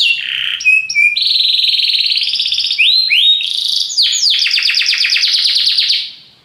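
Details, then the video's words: Powerful song of a Belgian canary: long buzzy rolling trills with short clipped whistles, rising slurred notes near the middle, ending in a fast run of descending strokes that fades out. "belga canário encantador, canto muito poderoso"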